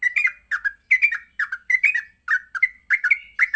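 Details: Morning song of a vigorously singing yellow-vented bulbul, played as a lure to teach captive bulbuls to sing and ngropel: short liquid gurgling notes in rapid clusters, rising and falling, with a constant thin high hiss behind.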